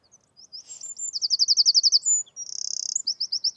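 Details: One of two Eurasian wrens, apparently nesting close by in a UK spring woodland and seemingly disturbed by a nearby hide, gives loud, very high notes: about ten even notes, then a dry, fast rattle and more rapid chips.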